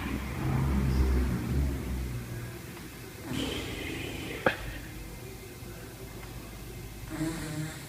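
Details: A pet Moluccan cockatoo, prompted by a person making fart noises, makes low, rumbling, sputtering fart-like noises for two seconds in an echoing front room; a person talks, with a sharp click and rustling.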